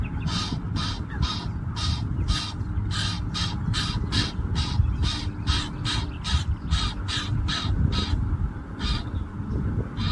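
An Egyptian goose gives a long run of harsh, raspy honks, about two each second, over a steady low rumble of wind or distant traffic.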